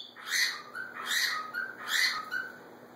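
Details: A pair of pet macaws calling to each other. Three rough, rising-then-falling squawky calls come about every 0.8 seconds, each ending in a softer trailing note.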